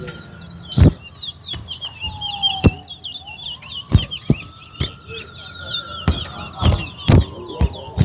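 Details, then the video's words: A chestnut-bellied seed finch at a towa towa bird singing competition sings a fast, unbroken run of high twittering, slurred notes, over sharp knocks, a long steady whistle and a murmur of people. "TOWA TOWA BIRD SINGING COMPETITION"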